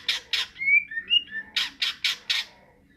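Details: Greater green leafbird, ngentrok-style song: two harsh rasping bursts, a short phrase of thin sliding whistles, then four more loud raspy bursts spaced about a quarter second apart.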